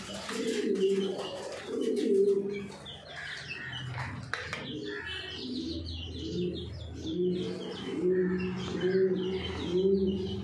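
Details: Racing Homer pigeons at a large pigeon farm in Thoothukudi, Tamil Nadu, India: low, throaty cooing phrases repeat in overlapping bouts, mixed with thin high chirps from other birds and a brief burst of flapping wings.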